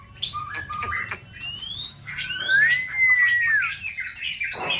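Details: Captive competition white-rumped shama in full season, singing a varied song to spur another bird; short choppy notes, then a rising whistle and a long, smooth, level whistle ending in a downward slide.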